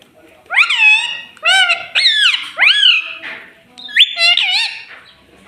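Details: Pet talking parrot indoors, known for saying 'mummy' and 'papa': a rhythmic series of five strong, nasal, rising-falling utterances, roughly one per second, then a final double call.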